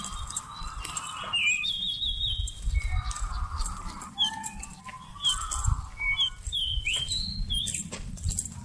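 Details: Seychelles magpie-robin song used as a trapping lure, November 2016: short whistled notes and quick upward flicks scattered through the clip, amid low rumbling and knocking sounds.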